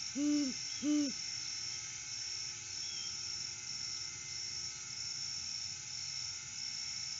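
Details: Two deep hoots in quick succession from a male Great Horned Owl, alone at his nest tree at 6:17 AM in August outside breeding season, followed by several seconds of steady hum with no reply from his mate.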